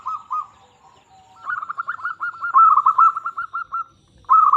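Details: Zebra dove, a local bird, singing to coax other zebra doves into song: a short cooing phrase, a pause, then a long rapid rolling trill of soft coos, ending with another burst.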